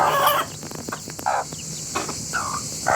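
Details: A rooster family of several chickens calls together in short, harsh squawks and clucks: one loud opening burst, then scattered clipped notes about every half second, with soft clicks between.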